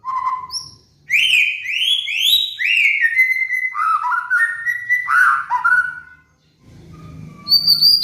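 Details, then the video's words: White-rumped shama (murai batu), kept caged, in a master song for training: a varied run of rising whistled slurs and stepped warbles over six seconds, ending in high clear whistles. "PANCINGAN MURAI BATU | MASTERAN BURUNG MABUNG"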